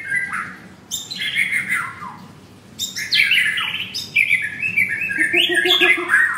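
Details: White-rumped shama, a caged bird with a blue leg ring, singing roughly and excitedly at a Jakarta kiosk: dense bursts of harsh, descending and warbled notes separated by short pauses.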